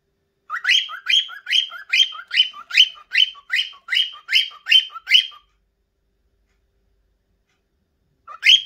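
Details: An adult, hormonal cockatiel gives its mating song: a rapid series of about a dozen bright, rising whistled chirps, two or three a second, then a pause and a fresh burst.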